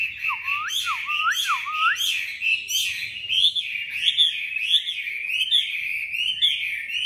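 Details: Caged tame Chinese hwamei giving competition song: three clear lower whistles that dip and rise, then a fast, ringing stream of high warbled and looping notes.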